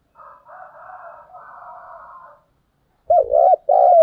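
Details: Spotted dove decoy bird giving 'thúc gù' cooing in the 'thổ đồng' voice: soft, rolling, low coos, a pause, then loud arched coos at the end.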